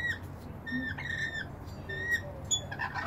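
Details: At a balcony bird bath, bathing rainbow lorikeets utter short, clear, level whistled notes in quick succession with a few rougher squawks, against a steady low hum.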